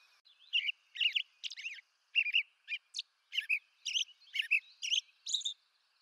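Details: American robin, eastern North America, singing a lively series of short whistled phrases roughly two per second, each pairing a mellow slurred note with a thin high squeak, in a quiet background.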